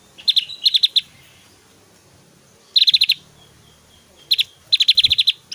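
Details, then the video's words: Javan grey-throated white-eye singing loudly with varied 'tembakan' shots: three dense runs of fast, high, rattling notes, each six to eight notes long, with a quiet gap of over a second between runs. "SUARA SIULAN JUGA TEMBAKAN 💯 DAHSYAT BURUNG OPIOR JAWA GACOR"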